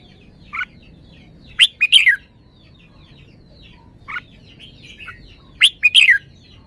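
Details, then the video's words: Red-whiskered bulbul singing with good phrasing: two loud, short warbled phrases about four seconds apart, each a quick run of rising and falling whistled notes, over steady repeated chirps from many other birds. "นกกรงหัวจุก จ้าวมาดี สำนวนดี"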